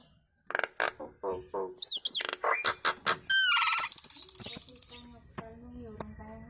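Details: Nias hill myna kemrewek chatter, other birds joining in: a fast jumble of clicks, nasal harmonic notes and bright looping whistles, then a rattling trill and scattered lower calls.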